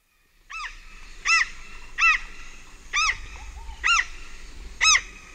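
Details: Large-billed tern flight calls recorded close at Pacaya: loud, harsh, arched nasal notes repeated about once a second, six in a row, with distant other birds and insects and a low rumble beneath.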